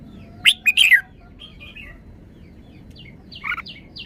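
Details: Red-whiskered bulbul praised for its fine song phrasing: a loud burst of three or four quick, rich whistled notes sweeping between high and mid pitch, followed by quieter twittering from other birds in the background.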